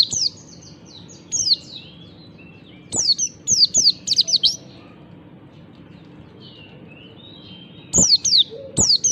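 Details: Morning ngalas song of a kecial Oriental white-eye, meant to prompt reluctant white-eyes to sing: quick groups of thin, high descending tweets separated by short pauses, some softer whistled notes between, over a steady low background hum.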